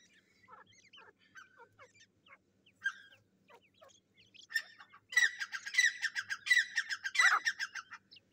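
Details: Black francolin chicks fighting, recorded 18 July 2024: sparse thin chirps and squeaks at first, then a dense burst of harsh, overlapping, harmonic squawks in the last three seconds, ending with a falling screech.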